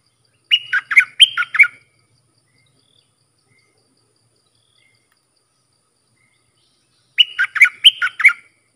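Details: Dok taeng bulbul training song for young birds: two identical bursts of four quick, bright, bubbling notes, about six seconds apart, with silence between.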